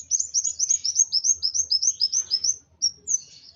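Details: Van Hasselt's sunbird, worked up and emotional, delivers a steady series of high, sharp upslurred notes, about four per second, followed by a couple of isolated thin chirps.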